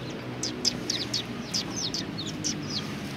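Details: Bright, high, downslurred chirps repeated several times a second from sparrows gathered at a Tenmangu shrine in Japan on 1 February 2020, with soft low-pitched background noise.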